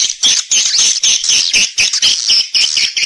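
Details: Swiftlets recorded in stereo for calling and roosting: shrill, high chirps in a quick, slightly uneven beat of about four per second, clean and without other sounds.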